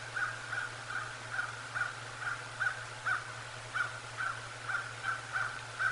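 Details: Bald eagle at the nest during an afternoon visit on 22 November 2022: rapid run of thin, high chittering notes, about two per second, with a constant low electrical hum beneath.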